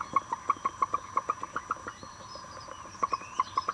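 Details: Broody hen in a coop giving soft, rapid clucks, quick short notes in a rhythmic burst, a brief pause, then another short run.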